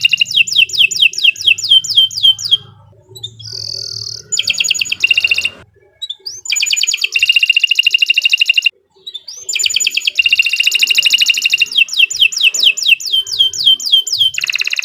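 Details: Gacor canary song meant to prompt other canaries to sing, built from fast, high, pulsed trills broken by a pure steady whistle and brief silences, then resuming in dense rattling phrases.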